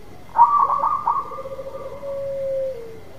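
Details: Zebra dove of a local strain singing hard to lure a silent dove: a loud stuttering onset of quick high notes that eases into a drawn-out, lower purring trill falling away at the finish.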